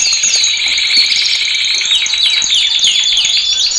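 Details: Male canary singing for training: a warbling, wavering trill rises and falls, then turns into rapid cascading downslurs with a clear whistled thread.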